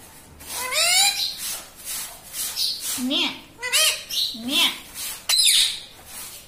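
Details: Talking pet parrot, said to call out "mummy" and "papa", in a room. A run of rapid, squawky, speech-like syllables with upward sweeps and scratchy bursts, bunched in quick groups.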